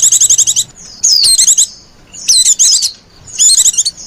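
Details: Lure call of a female white-eye: a rapid ticking trill, then three jumbled bursts of sharp, twittering high notes mixed with downward whistles, spaced roughly a second apart.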